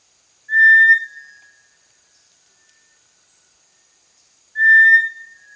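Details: A small dark tinamou of tropical lowland rainforest understory gives a short, flat, pure whistle, repeated once about four seconds later, with a faint steady high hiss in the background.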